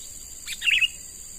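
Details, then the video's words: Young wild sooty-headed bulbul, caught and now trained as a lure, gives a single short bright whistled chirp with a steady high insect drone behind it. "Burung Kutilang MUDA HUTAN Mulai Dilatih Untuk Jadi Pikat Handal"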